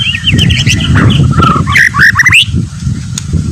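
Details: White-rumped shama, billed as a fighter with a tough temperament and good song material, delivering a quick series of varied whistles that climb in pitch toward the end, over low background noise.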